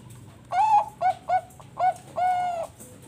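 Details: Song of a farm-bred Bangkok zebra dove in Bekasi, West Java, used to prompt other doves to sing; a rhythmic phrase of five mellow coos, a long one, three clipped ones, and a final sustained level note.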